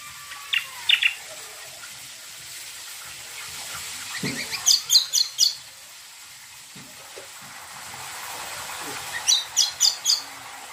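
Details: Cucak kombo (leafbird) singing, played to prompt other birds to answer; bursts of rapid high chattering notes, roughly four per second, separated by quiet gaps, with faint background hiss.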